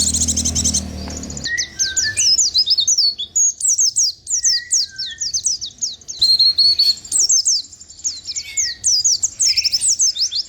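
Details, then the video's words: White-eye singing in the ngalas ngerol style, a continuous rolling song: rapid high, thin twittering notes strung together for about nine seconds with brief pauses, a few lower whistles beneath, after a short noisy opening second. "Pleci ngalas ngerol"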